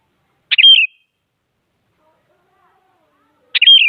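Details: Active sooty-headed bulbul whose singing is meant to push other bulbuls to sing: two bright, liquid phrases of quick rising then wavering whistled notes, three seconds apart, with silence between.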